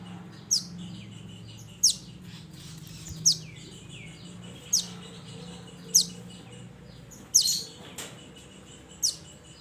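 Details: Mountain mantenan calling to its companions: high downward-sweeping chirps repeated irregularly every one to two seconds, with soft trilling fragments and a steady low hum beneath.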